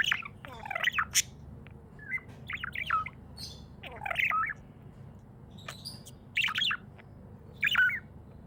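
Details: Pet budgerigar in a happy mood, giving irregular clusters of bright, wavering chirps and short squeaky trills, loud bursts near the start and end with quieter gaps between, against a soft constant hum.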